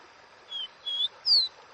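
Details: Caboclinho, Dó Ré Mi song style, whistling three clean notes in quick succession, the first two steady and mid-pitched, the third higher, louder and gliding down.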